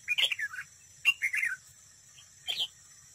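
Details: Decoy red-whiskered bulbul in competitive song at a trap. Three rich, rolling, warbled phrases come about one second apart and fall slightly in pitch.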